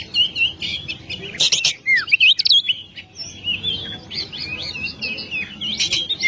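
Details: Oriental magpie-robin (kacer) in lively, loud 'gacor' song used as a masteran training recording for songbirds: rapid varied whistles, slurred upsweeps and down-slurs with short rattling bursts, packed tightly with barely a pause.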